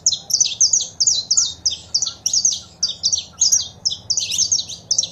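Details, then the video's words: Saffron finch, female calls and male song aimed at rousing a pet bird; rapid, regularly spaced high notes in a steady chattering stream lasting the whole stretch. "Foguea seu Canário da Terra com Esse Piado de Fêmea e o Macho Cantando"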